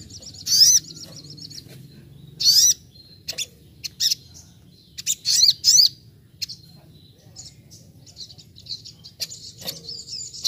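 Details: Training recording of a Brown-throated sunbird singing in nembak-nembak style, as in the wild: loud, sharp, rising high squeaks repeated at intervals over ten seconds, with softer high chirps and twitters between them.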